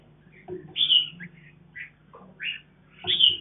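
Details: Captive color-mutant mountain red-whiskered bulbul feeding its young on a farm; short bright chirps and rising squeaky notes come in scattered bursts, with a steady low electrical hum underneath.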